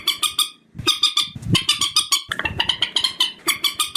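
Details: Purple swamphen lure calls for trapping at night: dense runs of loud, grating cackling notes repeated several times per second, with a few lower thumping knocks mixed in and almost no pause.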